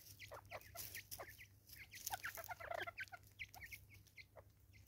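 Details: Raucous calling of Natal spurfowl, South Africa: a rapid run of short harsh downward-slurred notes, growing busier and louder in the middle, with a constant low hum underneath.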